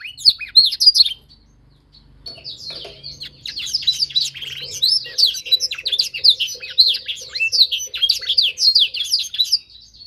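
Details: Singing-training session for young canaries learning to copy a master song. A short burst of bright twittering is followed by a brief pause, then long, rapid, high warbling trills continue steadily, over a faint low hum and soft repeated lower notes.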